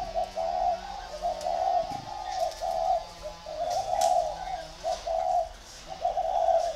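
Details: Competing pair of decoy spotted doves delivering repeated soft, throaty coo phrases in uneven bursts, with slight pauses between groups and faint background hum.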